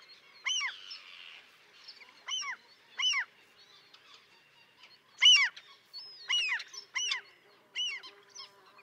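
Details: Common tern at a breeding colony with chicks on a concrete block near a sea mole, Liepāja, Latvia, June 2024, filmed with a Nikon Coolpix P1000: distinct, sharply downslurred harsh calls repeated at irregular intervals of about one second.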